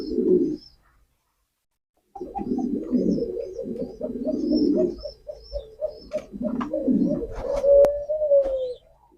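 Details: A short coo, a pause, then a long sequence of throaty male pigeon coos that ends in a smoother, drawn-out tone; light bird chirps and a few clicks.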